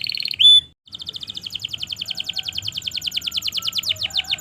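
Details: Canary singing as master audio to make silent and young canaries respond: one bright ringing note, a brief pause, then a long, very fast rolling trill of sharp repeated notes.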